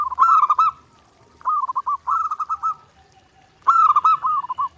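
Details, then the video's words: Clear, gacor zebra dove song recorded as a daily training master: three bursts of rolling, warbled coos, each made of quick pulses, with brief silences between them. "SUARA PERKUTUT GACOR NONSTOP | MASTERAN PERKUTUT JERNIH UNTUK LATIHAN HARIAN"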